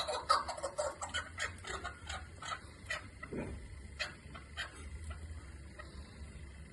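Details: Chukar partridge, kept for hunting, giving a run of dry clucking notes repeated about twice a second, loudest at the start and fading, over a low steady background hum.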